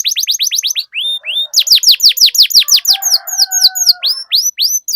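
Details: Canary singing a long rolling 'ngerol' song used as a lure to get other canaries singing: rapid series of high downward-sweeping notes, a few slower drawn-out slurs, and a soft low buzzy trill underneath midway.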